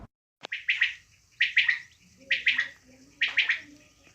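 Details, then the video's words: Local quail giving clipped, bright triple notes, each group repeated roughly once a second, with a faint low hum and a few soft background sounds underneath. "batair sound"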